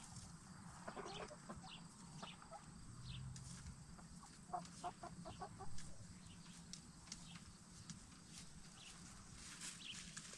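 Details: Black Star and Bielefelder hens settling for the night in a movable chicken tractor, giving soft, short clucks clustered mid-clip over a steady low background hum and faint high hiss.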